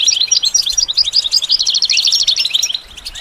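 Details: Brisk goldfinch song made of quick, high twittering notes that run into a rolling, repeated trill before fading out.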